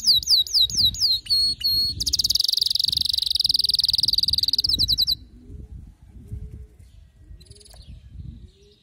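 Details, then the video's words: Male canary in excited song: repeated rising whistles, a long loud dense roll and a short sharp series, then quieter with only faint scattered notes. "هيجان ذكرى كناري سيجبر كناريك على التغريد فورا"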